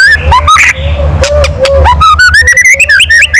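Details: White-rumped shama giving its loud kretekan call to provoke other birds: a low steady whistled tone under rising chirped notes, then a quick run of sharp ticks climbing gradually in pitch.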